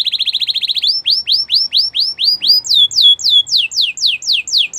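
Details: Singing Belgian canary: a fast staccato chip series opens, followed by repeated slurred downward whistles that shift higher mid-phrase, about four notes per second, bright and clear.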